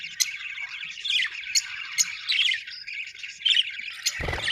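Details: Budgerigars warble and chirp continuously with sharp squeaks scattered through, ending in a short low-pitched knock.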